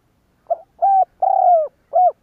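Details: A spotted dove lure calls to trigger cooing in other doves, giving one four-part phrase: short soft note, level coo, long slowly sinking coo, then a quick arched note, no other sounds.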